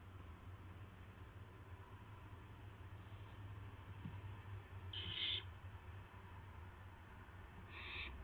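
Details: Barn owl owlet at night shortly after midnight on April 12, 2016, testing its wings: two brief, breathy, hissing bursts, the second fainter, over a steady low hum.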